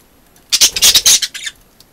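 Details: Budgerigars at a window, a group of two hens and two cocks: a quick run of harsh, scratchy, buzzy chattering notes, about eight bursts in one second, with quiet before and after.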